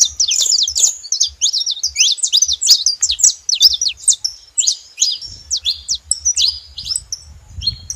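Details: Saffron finches making noise together: a rapid stream of bright, high chirps that thins into separate downslurred notes near the end, while a low hum rises underneath.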